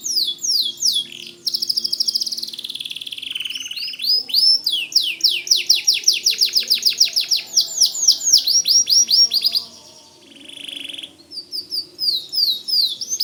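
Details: Long, vigorous white canary song: varied rapid trills and fast runs of swept notes, a short pause, then trilling resumes with quick upswept chirps.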